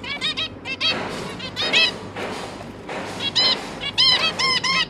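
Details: Zebra finches feeding their three juveniles on 1 October 2022. Clusters of short, nasal, stacked beeps alternate with hissy passages, and a quick sequence of three to four calls closes the recording.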